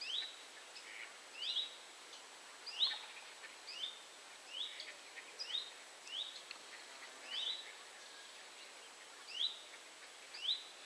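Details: Great crested grebe family with young at the Rawa Mazowiecka reservoir, Poland, on 31 July 2017: thin, high rising peeps repeated every second or so, faint over steady background hiss.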